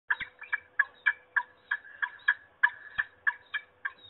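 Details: Peregrine falcon calling at Trzebież, Poland, on 26 March 2021: a fast series of harsh, grating notes, about three per second, each a short rasping burst, over a faint steady low hum.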